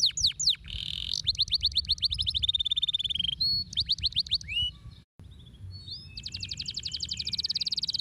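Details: Canary song used to stimulate lazy canaries to sing: varied bright phrases of descending whistled sweeps and rapid trills, a brief break near the middle, then a long fast buzzy rolling trill, over a low background hum.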